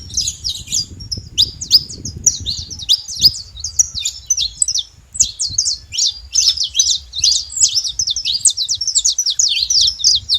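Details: Saffron finch singing free in the wild: a long run of sharp, high chirped notes with quick downward and upward sweeps, delivered in fast bursts across the whole stretch, with low rumbling background noise.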